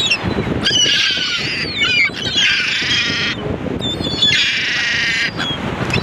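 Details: Gulls utter loud, rich, strained cries in three long bursts, with thinner high yelps between them and a dull background roar.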